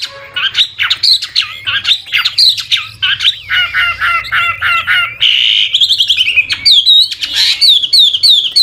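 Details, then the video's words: Mature wild hwamei singing with constant voice changes to encourage freshly caught birds: dense mix of sharp chirps, rapid stacked notes and a buzzy stretch, followed by clear high rising-falling whistles in the last few seconds. "Tiếng chim họa mi mồi già rừng hót luyến láy đảo giọng liên tục, giúp kích chim bổi nhanh hót"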